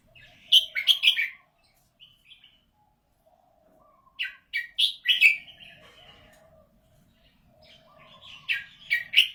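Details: Red-whiskered bulbul praised for a golden voice: bursts of bright, slurred whistled notes around the upper mid range, two clustered phrases separated by a pause, with a softer steady lower warble from other birds beneath.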